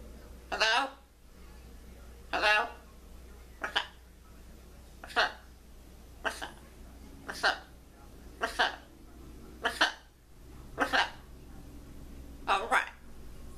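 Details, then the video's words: Talking blue-and-yellow macaw says a raspy, speech-like "hello" over and over, about nine short bursts spaced one to two seconds apart, in a quiet room. "Talking Blue And Macaw Saying Hello"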